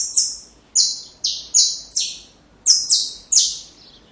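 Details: Saffron finch singing a song offered for training young birds: a run of loud, buzzy, high descending notes, each a short rasping sweep, delivered in quick bursts of two or three with brief pauses and a quiet background.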